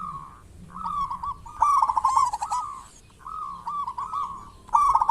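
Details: Lure recording of a lively local zebra dove: a series of cooed phrases with fluttering, stuttered notes, rising and falling in loudness, separated by brief pauses.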